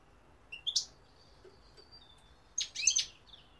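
A European goldfinch gives two quick bursts of bright, tinkling twitter, joined by a thin, high, sustained whistle, in an otherwise quiet setting.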